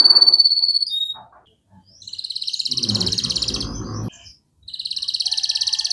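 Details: Canary singing an excited 'cuit-cuit' style song meant to provoke silent canaries into singing: long, high, rapid buzzing trills broken by short pauses, with a brief rough low rustling noise in the middle.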